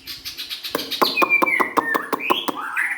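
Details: White-rumped shama song from a young forest-caught bird: long smooth whistled notes sliding downward, then rising slurs, over a steady series of sharp clicking taps repeated about every quarter second.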